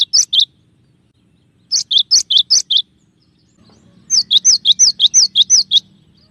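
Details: Gelatik batu (cinereous tit) delivering clear tembakan song variations. Three runs of crisp double whistles follow one another. The last run is a long, even series of about ten looping notes over a faint low hum.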